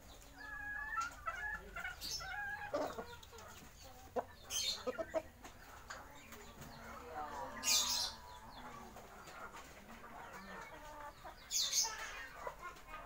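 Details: Thai native chickens, Siam and original Bangkok birds, giving loud harmonic calls and clucks in bursts, with wing flapping and sharp high bursts near 2.5, 4.5, 8 and 11.5 seconds over steady background noise.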